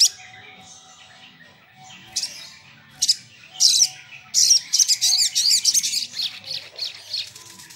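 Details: Sunbird song played as a lure to call and agitate rivals: scattered high, sharp chirps building into a rapid run of bright, twittering notes.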